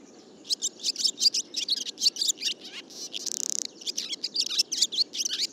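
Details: Barn swallow singing a rapid, scratchy twittering warble of high chirps, broken in the middle by a harsh buzzing rattle of about half a second, then going straight back into busy twitters.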